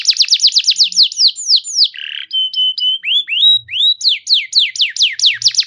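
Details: Canary lure song, intended to trigger other canaries to sing: a fast run of downward-slurred notes, a short rasping buzz, flat held tones, rising swoops, then quick descending notes again.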